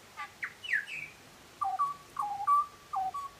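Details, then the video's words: Butcherbird singing: downslurred whistles open, followed by a repeated pattern of paired mellow flute-like notes. "Butcher bird singing"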